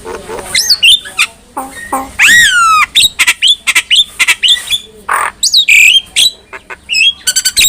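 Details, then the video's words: Black-winged myna singing, a recording meant for tutoring other mynas: a long arching whistle with rich overtones, quick chattering clicks, squeaky upslurs and rasping squawks in a rapid, varied sequence. "KICAUAN JALAK KEBO | Masteran Jalak Paling Gacor"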